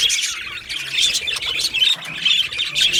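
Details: Two male Australian budgies warbling and chirping in rhythmic waves, each surge of scratchy, whistled notes swelling for about half a second before the next one follows.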